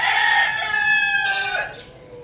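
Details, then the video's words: Rooster searching on a roof with a hen, caught mid-crow: a loud, buzzy harmonic tone held steadily, then stepping lower and trailing off near the end. "rooster Crowing Sound"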